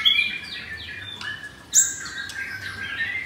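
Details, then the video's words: Caged F4 blorok white-rumped shama in Jakarta giving rough-material song: soft, sliding whistled notes broken by a sudden sharp high burst midway, then quieter descending phrases. "Murai Batu F4 Blorok Materi Kasar"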